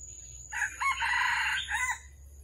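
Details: Red junglefowl crowing during trapping on the morning of 13 December 2021, when a wild bird came in and fought twice before being caught. A short harsh opening note, a brief gap, then a longer sustained hoarse note and a clipped ending, over a steady high hiss.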